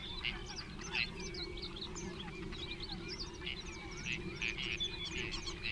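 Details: Great crested grebes at the nest, one of about twenty pairs nesting close together, 21 June 2024; harsh rasping calls burst out at irregular intervals over a busy background of higher chirping birds and a low rumble.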